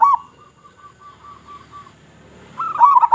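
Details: Local zebra dove with a loud voice singing as bait for other zebra doves: a soft, spaced series of short cooing notes fading away, then a louder wavering burst of coos.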